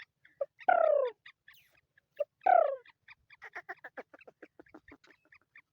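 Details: Black francolin, known locally in Sindhi as kala teetar, giving two loud, harsh, downward-slurring notes about two seconds apart, each preceded by a short note, then followed by a rapid run of short chattering clicks.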